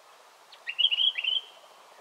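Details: A Yellow-plumed Honeyeater at Monarto Woodlands, Olearia Trail, South Australia, on 14 August 2021, gives a quick, bright burst of chattering, high warbled notes lasting under a second, over faint background hiss.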